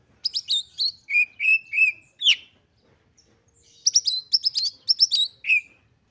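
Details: Oriental magpie-robin in highly excited song, meant to spur other magpie-robins into singing; bursts of bright, slurred whistles, then three flat repeated whistles, a sharp note, and a second run of rapid whistled phrases.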